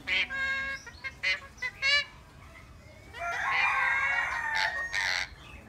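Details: Eclectus parrot gives several loud nasal honking calls in quick succession, then a long harsh rasping screech lasting about two seconds, ending in short rough squawks.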